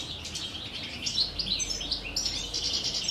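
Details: Captive common chaffinches in courtship and breeding season, 2023, two females sharing one male; quick high chirps and twittering notes tumble over one another, with short brighter phrases rising near the end.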